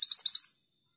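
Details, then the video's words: End of a female pied triller's song: four rapid, high, slurred chirps over half a second, then silence. "Burung mantenan betina gacor"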